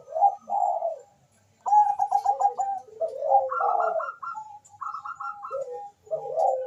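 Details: Bangkok zebra dove calling quickly with a rival answering, intended as a lure recording: a warbling coo, a pause, then overlapping fast trilled sequences at two pitch levels and closing low coos.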